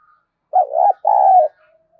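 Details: Gọi mồi lure cooing by a spotted dove: a deep, mellow two-section coo with a wavering first part and an even held second part, then a faint low tone. Background silent.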